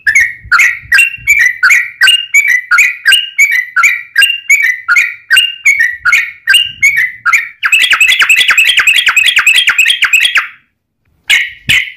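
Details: Yellow-vented bulbul giving long 'ropel' fighting song, used as a lure for other bulbuls. Steady liquid phrases build into a denser, harsher chattering flurry before a short silence and one final note.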